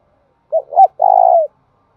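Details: Spotted dove cooing, in the thúc bổi and gáy gọi song style. Two clipped introductory notes are followed by a long, smooth, low coo that trails downward at the end. The recording is otherwise quiet.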